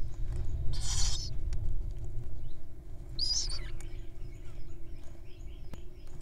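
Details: Feeding-time begging from wild owls: two loud raspy hissing bursts about two and a half seconds apart, followed by faint chirps of other birds over a low steady background rumble.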